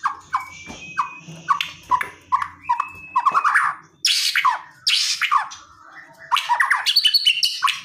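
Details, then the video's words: White-rumped shama delivering aggressive, emotion-stirring song full of rapid bursts, meant to provoke a quiet shama into responding: a varied run of short clipped whistles repeating about twice a second, then loud harsh bursts and jumbled high notes. "BIKIN MURAI DIEM JADI GACOR EMOSI"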